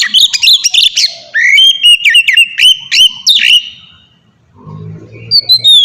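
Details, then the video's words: Captive white-rumped shama singing ngeplong-style song used to train other caged shamas: loud, clear whistled notes with rapid slurred phrases and sharp repeated upswept chips, a short pause, then renewed high whistles over a faint low hum. "suara burung kacer ngeplong merdu"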